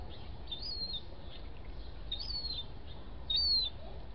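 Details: A thirty-day-old gull chick raised at home gives three clear, high, falling whistles spaced about 1.5 seconds apart against quiet low background noise.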